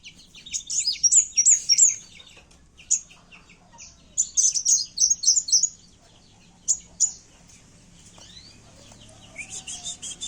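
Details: Kowul calling in a fighting mood, used as a lure recording for trapping: bursts of very high, sharp chirps and trilled zigzag notes in rapid clusters, separated by short pauses, with a faint buzzy phrase near the end.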